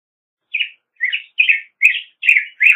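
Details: Black-headed grosbeak delivering a steady series of six rich, rolling warbled phrases, each roughly half a second apart, with no background noise.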